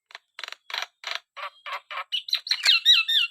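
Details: Black-winged starling song beginning with evenly spaced harsh rasping notes and building into rapid looping whistled slurs and squeaks.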